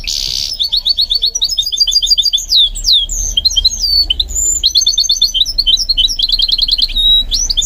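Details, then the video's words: Extended song from a goldfinch mule being trained to sing, mixing rapid high twitters, slurred whistles and rattling trills in an almost unbroken, varied stream. "What I Learned from Training My GOLDFINCH Mule to Sing"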